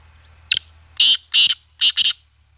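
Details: Black francolin call for training: a short sharp opening note, then four loud harsh grating notes in two pairs over about a second and a half, with a low steady hum beneath.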